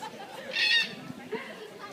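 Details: A red-tailed black cockatoo in the free-flight bird show at Taronga Zoo, NSW, Australia, on 2 November 2012, gives one brief, harsh, grating screech, with a presenter's voice and crowd murmur behind.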